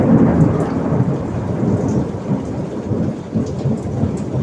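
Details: Heavy rain patters throughout while thunder rolls low and continuous, with no animal voice.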